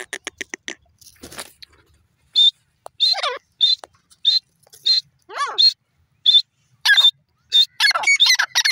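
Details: Grey francolin calling: a brief human voice at the start, then a series of sharp, high, clipped notes repeated about every half second, some with quick falling chevron-shaped slurs, growing busier toward the end.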